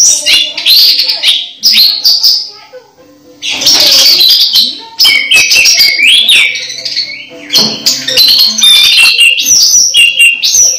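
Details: Orange-headed thrush near its moult but still in full voice: dense, loud outpouring of varied twittering, trills and slurred whistles at high pitch, nearly continuous with one brief quiet gap.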